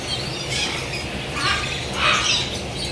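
White-throated toucan giving harsh, yelping call notes in a few spaced bursts, over a steady hiss of forest background.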